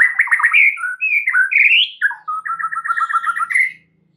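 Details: {'text': 'White-rumped shama song packed with fill-ins, used to coax other birds into singing; continuous varied whistled warbling with slurred rising notes, ending in a steady run of about ten quick paired notes.'}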